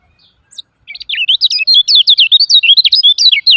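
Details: Fast chattering 'ciak ciak' from a lemon-bellied white-eye, played to trigger silent birds into singing. A lone thin note leads into a steady torrent of shrill, wavering chirps, clean and loud, with no other sounds.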